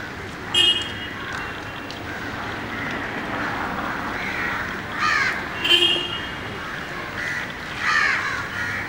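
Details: Noisy male Asian paradise flycatcher uttering sharp skreek calls, short harsh grating notes, some in quick pairs, scattered across several seconds above constant background hiss.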